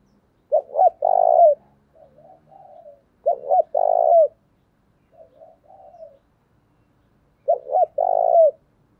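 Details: Thổ-voiced decoy spotted dove cooing to provoke wild birds; three strong phrases of a short double note and a long rolling coo come roughly every three seconds, with quieter coo fragments between.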